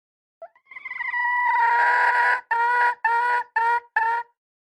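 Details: Red junglefowl hen: a faint rising lead-in swells into a long, loud, rasping note, then four short clucks follow at steady half-second intervals, with nothing else audible.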